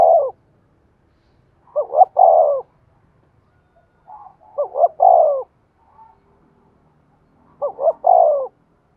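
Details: Spotted dove decoy cooing, used to provoke other doves into calling: three mellow phrases, each two short rising notes then a longer falling hoot, spaced about three seconds apart in otherwise quiet surroundings.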